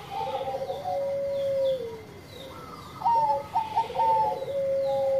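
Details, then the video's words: Zebra dove of the Bangkok type, praised for frequent sweet singing: a gentle purring coo that slides downward, a short pause, then a brighter phrase of clipped, stepped whistled notes settling into a steady held coo. "Perkutut Bangkok Gacor Suara Merdu"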